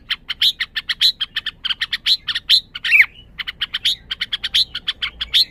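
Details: {'caption': 'Red-whiskered bulbul chattering in fast, sharp high notes, briefly broken by a single descending slurred call midway before the rapid chirping resumes.'}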